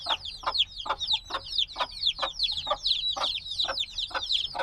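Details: Days-old black baby chickens recorded with binaural gear. A lively chorus of sharp, high descending cheeps repeats several times each second, with many chicks calling over one another.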